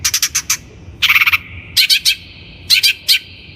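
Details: Long-tailed shrike song from a lure recording made to train birds: quick chattering notes, a rapid buzzy rattle, then scratchy doubled notes and short harsh chirps.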